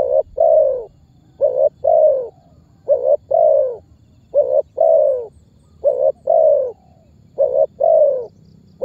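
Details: Lure call of a Spotted dove, used by bird trappers to make other birds call and come near; steady rhythm of low coo pairs, each a short hoot then a longer downward-sliding coo, roughly five pairs evenly spaced.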